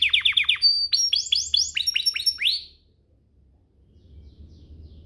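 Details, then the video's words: Canary song used to prompt other canaries to sing: a quick run of dropping chirps, then several louder upswept notes, after which the song ends and only faint background hum remains. "Pancingan kenari biar GACOR, kenari manapun langsung naik emosi habis dengar ini"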